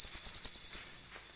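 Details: Sunbird singing a short, high, bright trill used to train other songbirds, cililin-style fill: about seven quick, evenly spaced, sharp notes in under a second, then fading to quiet.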